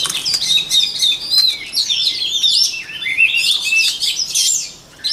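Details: White-rumped shama song meant for training other shamas' voices: dense, continuous torrent of high warbled whistles and sweeping slurs, loud and unbroken until a brief drop at the close.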